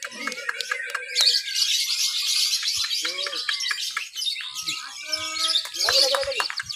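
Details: Caged lovebird in a Papua singing contest, Lovebird B mixed class, 31 October 2021, ngekek-ing while creeping along the bars; a continuous shrill chattering stream, broken by short whistled notes from other birds nearby.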